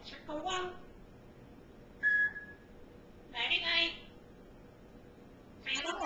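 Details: Pet African grey parrot babbling indoors: a few scattered harmonic, voice-like bursts and one short flat whistle near the middle, separated by quiet pauses.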